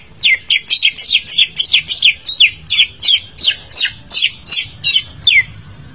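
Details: Greater green leafbird song played to coax a quiet bird to sing: rapid chain of sharp, sweeping whistled notes, some doubled, pouring out about three per second for six seconds with little pause.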